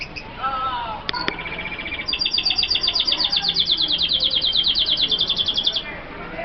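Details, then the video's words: Hooded siskin F1 from Colombia sings a few rising notes and two sharp clicks, then a long, fast, high metallic trill of rapidly repeated notes lasting nearly four seconds before stopping abruptly. "Kaputzensijs F1 (Sound) Guadeloupe 1, ( sound of the kaputzensijs birds)"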